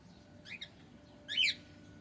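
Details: Male cockatiel chirping twice: a softer double note, then a louder, fuller arched call, against low background hum.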